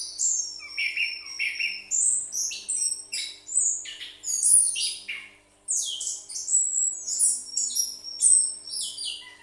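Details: Caged, ring-bred orange-headed thrush, one of two kept birds, both said to sing vigorously; a rich, varied song of high whistled and buzzy phrases with rapid sweeping notes and short pauses, over a steady low electrical hum.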